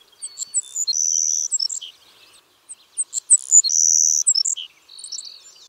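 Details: Savannah Sparrow song from eastern North America, a species often seen in open areas, given twice: a few thin, high introductory chips followed by a long, raspy buzz, then a short lower buzz, with nothing else heard.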